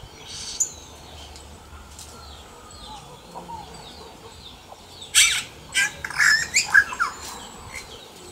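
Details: Yellow-rumped cacique singing in the wild: faint scattered chirps and whistles at first, then a loud run of harsh, crackling broadband notes with short whistles in the final three seconds.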